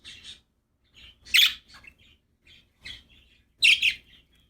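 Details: Happy pet budgerigars chirping: short bright chirps and buzzy squawky bursts in a broken chatter, two louder harsh calls near the middle and end with softer twitters between, small quiet room.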